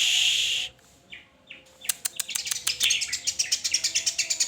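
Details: White-rumped shama song: a noisy hiss, brief gap and faint notes, then a rapid run of sharp, high chip notes repeated about three times per second, growing steadier toward the end.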